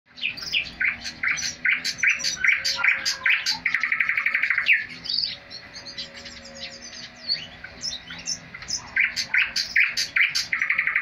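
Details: A thrush nightingale (Luscinia luscinia) singing indoors at home gives loud, varied phrases of rapid repeated notes, rich whistles and chattering trills, with brief pauses, over a faint steady indoor hum.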